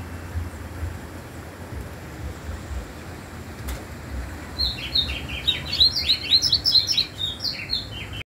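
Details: Double-collared seedeater giving a rapid series of high, rising whistled notes in the second half after several seconds of background noise with a single sharp click.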